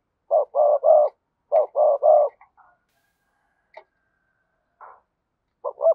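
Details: Spotted dove, cườm sa type, giving two rapid cooing phrases of three notes each, the last note held longest, then near silence with faint small sounds and a brief coo start at the end.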